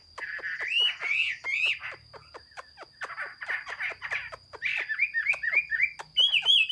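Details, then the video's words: Song of a Chinese hwamei, 15 June 2021. Rich warbled phrases rise and fall, ending in a quick series of short repeated whistled notes. Dry ticking clicks run throughout over a thin continuous high tone. "Chim hoa mi hot xuy. Singsong bird very beautiful"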